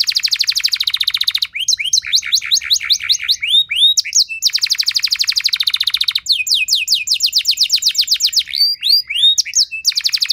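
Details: Canary lure song meant to make other canaries respond and sing, in the long, loud 'nembak' style: high buzzy trills alternating with fast runs of downslurred whistled notes, two loud trill passages and dense chirp series.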